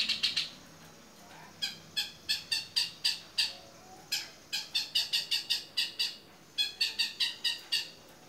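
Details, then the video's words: Long-tailed shrike singing vigorously in 'gacor toet miyik' manner as a tutor for other birds: bursts of rapid, grating, buzzy notes, several per second, separated by short gaps, against a quiet hissing background. "CENDET GACOR TOET MIYIK"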